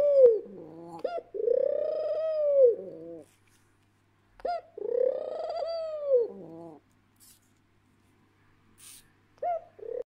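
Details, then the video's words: Pet ringneck (Barbary) dove bow cooing very close: a short clipped note then a long swelling deep croon of about two seconds, repeated twice with another starting. "bow cooing REALLY close! (ringneck dove)"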